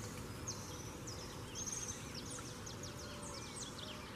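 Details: Coleiro, the double-collared seedeater, singing in the morning: quick high slurred and descending notes in a rapid chattering run, fairly faint over a steady low rumble of background noise.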